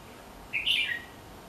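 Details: A single short, bright warbled phrase from a red-whiskered bulbul near a home, a quick cluster of whistled notes ending in a falling slur, with quiet background.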